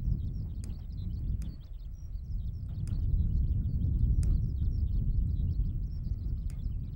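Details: Skylark singing over open fields at Sone Shinden, Kitakyushu, Japan: an unbroken stream of high, fast twittering and trilled notes throughout, with a few sharp clicks and a steady deep rumble of wind or distant traffic underneath.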